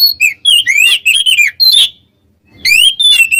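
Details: Oriental magpie-robin singing to provoke rivals: a rapid string of rising and falling whistles and buzzy notes, a half-second pause, then further swooping whistled phrases.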